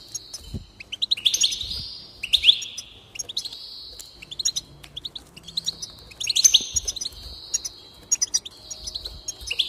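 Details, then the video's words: Goldfinch singing to encourage another bird to sing, with a steady run of twittering phrases: liquid warbles sliding into nasal buzzy notes, repeating roughly every second or two. "increase the enthusiasm of the goldfinch and encourage it to song"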